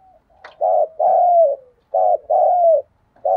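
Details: Mellow urging coo of a spotted dove decoy bird, short then long notes in pairs, the long coo dipping at its end, repeated back to back with a faint click before.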